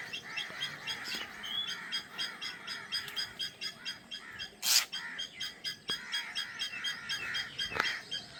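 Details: Nest of newly hatched drongo babies waiting for the mother bird to return with food: steady, pulsing rasps at a fast even beat, broken by a few sharp clicks and brief bursts.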